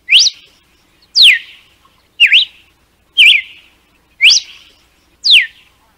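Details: Red-cowled cardinal from northeastern Brazil giving a whip-like song used to teach young birds: loud, clear whistled notes, each a quick rising or falling slur, repeated about once a second against a quiet background.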